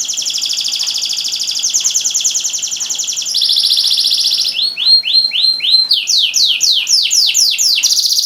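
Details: Loud canary song to encourage silent canaries to sing. Long, high, even trills change tempo in steps, followed by series of rhythmic dipping whistled notes and fast falling sweeps.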